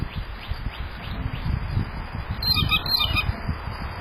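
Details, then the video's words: Loud Blue Jay calling in the background while a male Hairy Woodpecker is present: one harsh, noisy squawk lasting under a second, midway through, over constant low rumbling noise. "a Loud Bluejay in the background"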